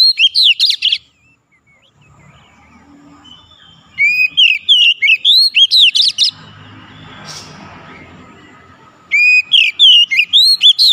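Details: Oriental magpie-robin (kacer) in full gacor song, played to make a silent bird sing again: three runs of rapid, varied whistles and chattering slurs separated by quiet gaps, with a soft noisy rustle midway.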